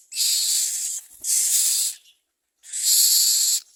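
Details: Common myna at its nest while bringing food to its young: three loud, harsh, hissing bursts, each almost a second long, separated by short silences.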